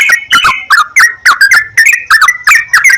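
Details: Trucukan, the Sooty-headed bulbul, in a prompting recording to encourage singing; clear, liquid whistled phrases tumbling quickly, each note dipping and rising, steady chattering rhythm throughout.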